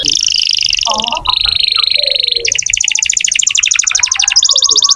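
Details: Canary song used to stimulate young or silent canaries into singing: long high buzzy trills changing abruptly between sections, with a rapid rattling trill in the middle and a few lower chirps underneath.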